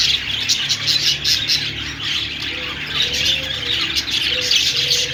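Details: Budgies sing a steady high, scratchy warble full of rapid chirps and squawky notes. In the second half, faint low, drawn-out tones sound now and then beneath the chatter.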